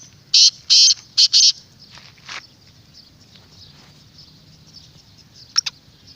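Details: Black francolin voice, played to rouse a kept francolin or attract wild francolins: four rapid, loud, rasping notes open the phrase, followed by quiet background and two short sharp clicks near the end.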